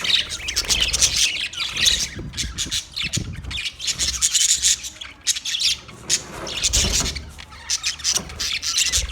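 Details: Budgerigars give harsh, scratchy squawks and rapid chatter in loud waves that swell and fade every second or two.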